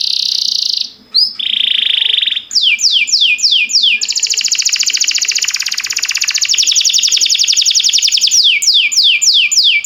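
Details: Canary singing as a training recording for young canaries: steady high whistled tones open, then rapid descending sweeps lead into a long loud buzzy roll and a final series of falling sweeps.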